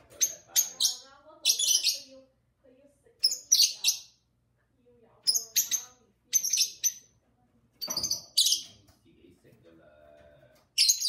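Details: Two lovebirds chatting and singing with their owner: steady stream of piercing, buzzy chirps and squeaks in clusters, interwoven with the owner's low talking voice.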